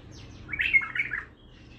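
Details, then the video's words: A Baghdadi-type bulbul, a raw (untrained) bird nicknamed "the Agha", gives one brief, rich, warbled phrase of bubbling mid-pitched notes under a second long, over a faint indoor hum. "بلبل طور بغدادي"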